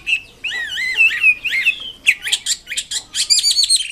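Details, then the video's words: Chinese hwamei singing lively song: long looping whistles that rise and fall, then rapid sharp repeated notes and high trilled flourishes. "BURUNG WAMBI KEMBANG MANDARIN GACOR KICAUNYA"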